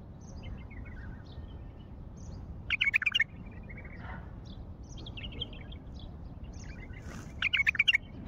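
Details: A wild bulbul of Baghdad repeats a short bubbling warble twice, about five seconds apart, while other small birds chirp softly and a low background rumble continues.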